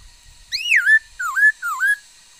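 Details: Singing female laughingthrush, a bird of many voices, 13 August 2021: three looping whistled phrases, the first longest with a rising-falling arc, the next two dipping and rising again; faint low rumble at the start.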